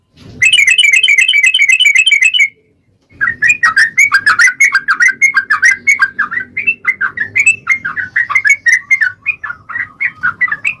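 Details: Yellow-vented bulbul giving long 'ropel' song as a lure to draw out full singing: a fast ringing trill for two seconds, a brief pause, then a lively stream of varied warbled whistles, some rising, over a low background hum.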